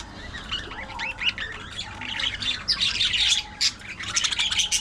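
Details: Budgerigars chattering: a dense, busy warble of scratchy chirps and squeaky trills that grows louder and fuller after the second second, with bright clustered notes toward the end.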